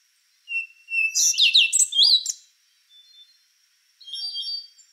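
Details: Rufous-brown solitaire opening with a soft whistled note that swells into a fast, ringing jumble of high slurred notes, followed by a quieter trailing phrase.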